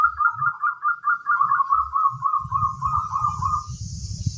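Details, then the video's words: Local crossbred zebra dove delivering one long, even, rapidly pulsed cooing trill, slightly falling over three and a half seconds. Soft low thumps are audible underneath. "suara sang masteran burung perkutut crosing"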